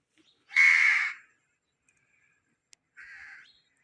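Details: Parrot letting out one loud, harsh screech lasting over half a second, then a softer, shorter rasping call about two seconds later.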